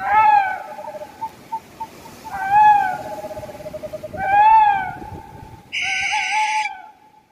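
An owl gives wavering, mid-pitched hooting notes about every two seconds, with soft low trills between them and a brief harsh buzzy burst near the end.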